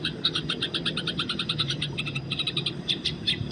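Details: Fighting Eurasian tree sparrow in the wild: a steady stream of quick, somewhat lower, harsher chirps running almost without pause, with a few louder notes near the end.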